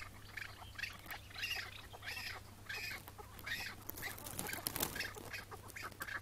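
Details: Chukar partridge in May 2017, morning, during a hunt; hoarse, drawn-out rasping calls spaced under a second apart, with a burst of rustling handling noise partway through.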